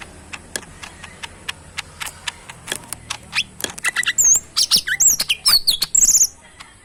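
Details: Caged, very tame pet bulbul in full song: irregular sharp clicks and ticks build into loud, quick high whistled notes with swooping, wavering phrases toward the end.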